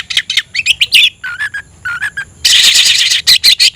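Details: Oriental magpie-robin in a cage, tail fanned, singing to provoke a rival: quick chattering notes, a few mid-pitched whistled phrases, then a loud harsh rasping burst with piercing high notes on top.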